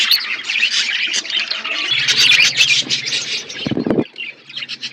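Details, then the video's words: Chirping budgies in an aviary in forest surroundings, dense twittering warbles from several birds; a low hum enters midway and a short rustling burst sounds near four seconds before the chatter thins. "Budgies parrot in forest environment aviary birds chirping sound"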